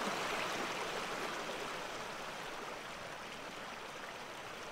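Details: Steady rushing of a river or stream fills the whole clip, with no animal calls standing out.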